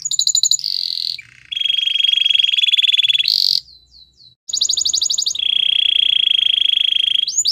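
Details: White canary singing a training song: long sustained buzzy rolls alternating with fast high trills and a few swept whistles, a brief quiet gap midway.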